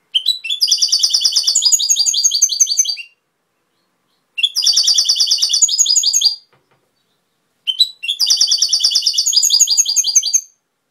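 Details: Goldfinch song linked to Cobia Málaga: three similar phrases of about two to three seconds each, separated by short silences, every phrase a rapid series of high, buzzy, metallic twitters and trills.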